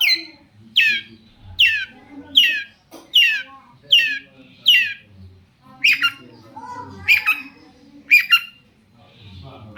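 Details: Harsh down-slurred notes from a long-tailed shrike, used as a lure for other shrikes, repeated roughly every 0.7 seconds, then a few double notes.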